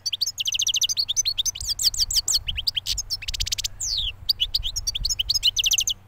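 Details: Recently moulted European goldfinch, a bird hatched the previous year, singing a rapid twittering song of high chirps, trills and buzzy notes with short pauses, over a steady low hum.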